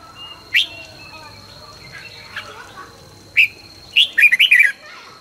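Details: Red-whiskered bulbul trained for morning singing, fast and intense, giving a single sharp whistle, then a rapid run of five or six warbled, bubbling notes, with faint chatter and a steady high hum beneath.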